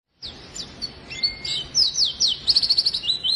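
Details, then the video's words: Oriental white-eye in lively song, used to prompt lazy white-eyes into singing: rapid high, thin chirps and sharp downslurred notes. A long flat whistle runs through them, then a burst of fast twittering trills builds at the end. "burung pleci gacor!!! efektif untuk pancingan dan masteran pleci yang malas bunyi"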